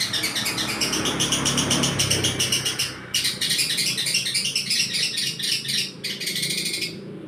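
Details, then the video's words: Long-tailed shrike delivering learned sparrow (gereja) mimicry: a dense, continuous stream of high, scratchy chirps broken by brief gaps, fast and uneven in rhythm, with low background rumble. "Cendet Gentayu isian Gereja"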